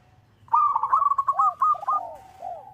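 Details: Local zebra dove calling a rival, as a lure recording: after brief quiet, a loud run of rapid, bubbling coos with curved falling notes, ending in a softer drawn coo.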